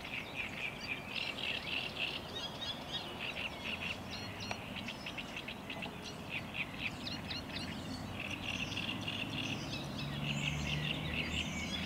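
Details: A great reed warbler sings at Lake Czerniakowskie on 24 May 2021, a steady, chattering stream of harsh, repeated notes, several per second, over a low background rumble.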